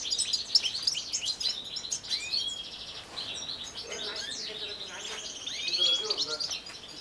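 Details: European goldfinch song: dense, fast high twittering with scratchy chirps and short trills, several notes overlapping as if more than one bird sings, a few lower sliding notes mixed in.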